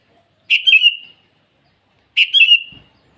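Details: Lively sooty-headed bulbul in the morning calling rivals with two identical bubbly whistled phrases, each starting sharply and trailing down, spaced almost two seconds apart, otherwise quiet.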